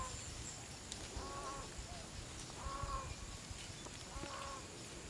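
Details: Green peafowl in Chun district, Phayao, Thailand, during the Nov–Mar peafowl-counting season, about 70 birds gathering in the afternoon (15:00–17:00) toward dusk, give three loud, nasal honks about 1.5 seconds apart over a low steady rumble.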